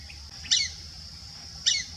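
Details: White-faced Whistling Duck, one of a pair seen on the Serrinha trail near Uberlândia, Minas Gerais, Brazil, gives two brief high whistled notes about a second apart, each dropping at the end, over a steady high insect-like hiss.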